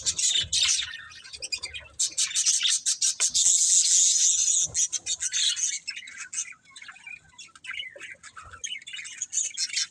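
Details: Budgerigars in busy, continuous chirping: rapid high, scratchy twitters and clicks with a loud, dense burst in the middle, then softer, broken chattering toward the end.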